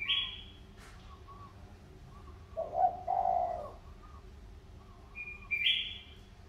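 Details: Spotted dove, a wild-caught field bird of Sóc Trăng stock tamed for two years, calling eagerly as a decoy: one brief burst of low cooing mid-clip, with thin high whistles from other birds before and after.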